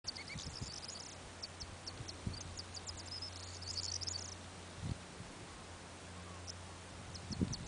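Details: A corn bunting singing on North Uist gives its 'jangling keys' song: a high, dry jangle of stuttering ticks that speed up into a glassy rattle. A second phrase begins near the end, over a low steady rumble.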